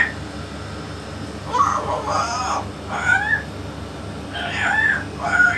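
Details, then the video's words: Yellow-naped amazon parrot talking with a parrot expert: three separate bursts of hoarse, word-like syllables with rising inflections, spaced by short silences, steady low hum in the background. "ببغاء الامزون اليلوناب الملك يتكلم"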